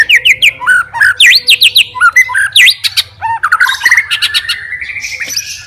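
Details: Caged white-rumped shama, a fighter bird singing to provoke rivals, delivers loud varied phrases: rapid sharp notes, V-shaped sweeps and slurred whistles, quick chattering bursts, with a steady low hum underneath.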